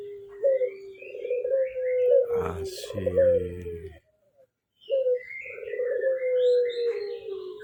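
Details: Ringneck dove giving repeated soft, rolling coos that drift gently downward, one long phrase partly overlapped by a human voice, then after a short silence a clipped note and another extended purring coo with faint chirps.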